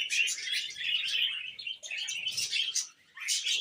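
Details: Short burst of budgie warbling: bright, scratchy chirps and quick squeaky slides tumble together, with a brief pause before a final flurry of notes.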